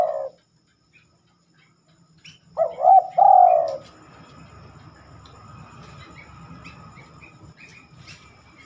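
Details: Spotted dove (terkukur) cooing at night, which it rarely does. A low coo ends at the start, followed by a pause, then a loud two-part coo phrase, and finally a steady low hum with faint high chirps.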